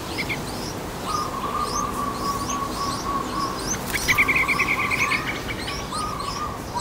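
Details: Young yellow-vented bulbul nestlings in a nest in Thailand, being fed by a parent: a long, steady thin whine, then a buzzy trembling burst of begging midway. Quick high chirps from other birds repeat throughout.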